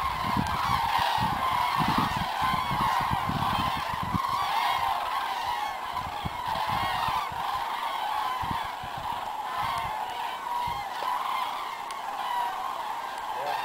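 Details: Spring return of cranes over South West France in February; many birds call together in a continuous, bubbling chorus of rolling trumpet notes, steady in loudness, with wind buffeting at the start.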